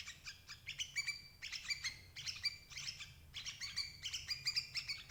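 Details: Sooty-headed bulbul calls used as a lure for catching adult birds: rapid, bright chirping bursts with ringing harmonic notes, repeated in quick clusters with brief pauses, over a low, steady background hum.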